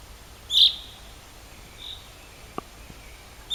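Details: On 4 April 2010 at Rogozyanske Reservoir, Kharkiv region, a bird gives short, sharp, high chips about three seconds apart, with a faint softer note and a single dull click between them.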